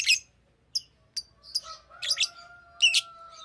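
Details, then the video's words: Green lovebird giving a few separate high chirps, then buzzy doubled chirps, over a faint steady tone. "Green Lovebird Chirping Sound"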